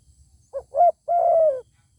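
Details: A zebra dove replies to a fine-sounding wild bird that will not come down to fight. A single phrase of two short stuttered notes runs into one long, smooth coo lasting about half a second.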